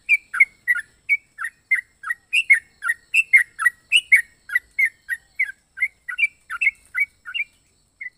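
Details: Yellow-vented bulbul with an unusual, varied voice: a rapid series of short, bubbly chirping notes that bounce up and down in pitch, given almost continuously for eight seconds with brief gaps and no other sounds.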